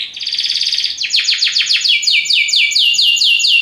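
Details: Belgian canary in strong song, a rolling trill giving way to a steady series of quick descending sweeps, about four per second.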